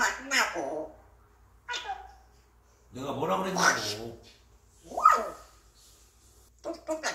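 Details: Grey parrot muttering indistinct human-like words, a mix of nice and not-so-nice phrases; a few short speech-like utterances separated by quiet gaps, in a small room.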